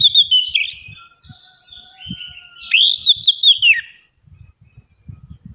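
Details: Orange-headed thrush singing as a lure for birds that are slow to sing. Fluid high warbles, a steady faint whistle underneath, then a louder run of rising and falling slurred notes. Faint low taps are audible.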